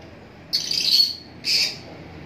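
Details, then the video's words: A lovebird gives two harsh, shrill screeches, the first longer and grating, the second shorter, about a second apart over quiet background hiss. "love birds sound"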